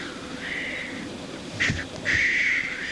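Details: Black grouse displaying at a lek give harsh drawn-out hissing sneezes, one long rasp early, then sharp bursts and another loud extended hiss, with faint bubbling behind.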